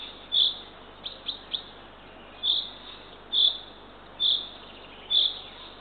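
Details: At dawn on 3 June 2023, at 6:21 am, a female Eurasian eagle-owl feeds her third owlet at a nest in Northern Estonia. Shrill rasping notes recur about every second, with three quick thin chirps near the start.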